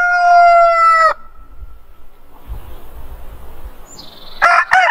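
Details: Rooster giving a morning crow, a bright, steady, held note ending abruptly after about a second. A faint trailing tone and low rumble follow, then brief sharp chirpy calls near the end.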